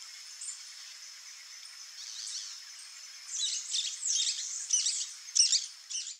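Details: Rufous-bellied thrush nestlings in the nest: faint high hissy calls at first, then a run of louder raspy, buzzy bursts about every half second through the last three seconds, over a steady high-pitched whine.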